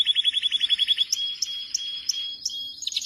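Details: Canary singing a fast rolling trill of about a dozen rapid high notes in the first second, then a long, steady, high whistled tone with sharp bright chips about every third of a second, ending in a quick burst.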